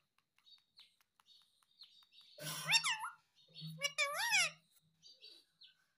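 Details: Pet rose-ringed parakeet talking, saying "mummy papa": faint ticks and short squeaks, then two loud bursts of harmonic, voice-like syllables with rising and falling inflections mid-clip, a low steady hum beneath, and a few quiet chirps afterward.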